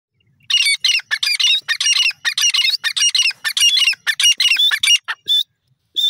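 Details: Grey francolin, stated as female, giving a loud series of harsh, squawky, rapid notes in dense bursts, about two to three per second for five seconds, then a couple of cleaner isolated notes; quiet background.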